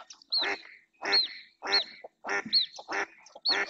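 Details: Insistent calling by a female mallard on the marsh at Doñana National Park, Spain, as another female and two males approach; rough nasal quacks follow one another roughly every 0.6 seconds, each overlaid by a brief high squeak.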